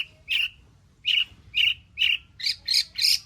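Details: Long-tailed shrike in active song, used as a lure to get other shrikes singing, its song full of fill-in material. Rasping, scratchy notes repeat about every half second, speeding up and growing harsher and higher at the end.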